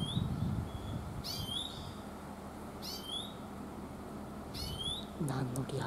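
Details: Oriental greenfinch calling 'chuiin' in mountain woodland, three bright slurred whining notes roughly every one and a half seconds. Softer twittering sounds come before them, a man speaks at the end, and there is steady background hiss.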